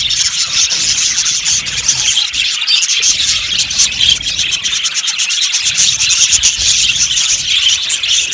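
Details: A colony of budgerigars in an aviary chirping together, producing a dense, continuous wash of high twittering and chattering with no pauses throughout.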